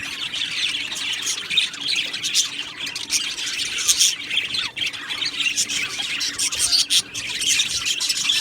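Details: Chorus of budgies chirping in an aviary colony: a steady wash of high, raspy chatter and squawks from many Australian parakeets at once, with brief louder bursts scattered throughout.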